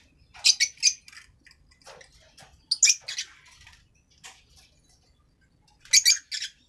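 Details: Green masked lovebird, African lovebird, uttering grating high squawks in short clusters, paired notes near the start and again near the end, in an otherwise quiet setting.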